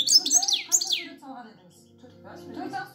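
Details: Goldfinch song: a quick burst of bright, high twittering notes and sliding chirps lasting about a second, then fading into quieter scattered twitters over a low background hum.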